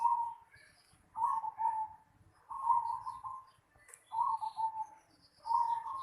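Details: Zebra dove calling in a house yard: five soft, low, rolling coo phrases, each about a second long and falling slightly at the end, repeated roughly every one and a half seconds over faint background hiss.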